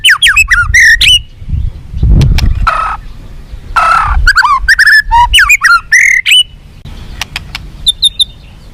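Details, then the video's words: White-rumped shama song intended to make captive birds more responsive and fighting: bursts of varied whistled and harsh notes with lower noisy sounds between phrases, ending in a few high thin notes. "SUARA BURUNG MURAI BATU FIGHTER"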